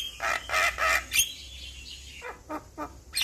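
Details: Javan myna in full lively song, played as a tutor recording to make young mynas respond quickly: three loud harsh chattering bursts, then a pause and a few shorter clipped notes ending in a high squeak.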